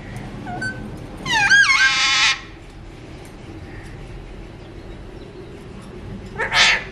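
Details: Alexandrine parakeet kept as a talking pet: a short whistled note, then a loud wavering raspy squawk, quiet for several seconds, and a final harsh burst at the end.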